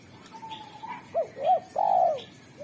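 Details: Spotted dove, a frequent singer praised for a sharp, clear, sweet voice that lures wild doves: a soft level note, then two arched low coos and a long, loud, burry final coo, with faint high chirping in the background.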